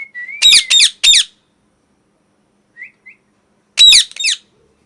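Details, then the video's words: Angry pet parrot giving loud harsh screams, three in quick succession, then a pause with two faint chirps and one more pair of screams, after a short opening whistle. "Loud Parrot Noise #2 | Natural Parrot Sounds | Parrot Calling Sounds"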